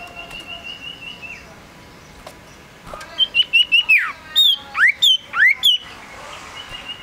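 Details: Active singing male Common Iora (sirtu, sirdung) runs a series of short high whistles into a falling slur, then several loud notes that dip and sweep up, following a faint level whistle at the start.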